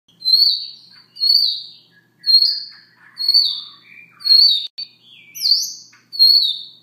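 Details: Siberian rubythroat giving soft song in the morning: clear, high whistled phrases, some sliding down, mixed with short thin twitters and lower scratchy notes, phrases spaced about every second.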